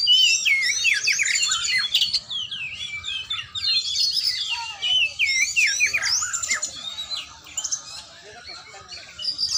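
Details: Kacer, or oriental magpie-robin, in training, delivering long bursts of fast, varied whistled and chattering notes with rising and falling slurs, pausing briefly midway before resuming, weaker toward the end.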